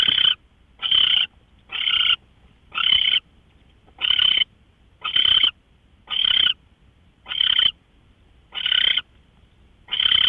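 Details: Owl on March 24, 2013 at 5:27 a.m., sounding a long series of short, coarse hissing screeches, roughly one per second, around ten across the stretch, background otherwise quiet.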